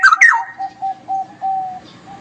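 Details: Straw-headed bulbul singing ngeropel style. A short, slurred whistle drops downward, followed by a series of soft, even low notes repeated at a steady pace.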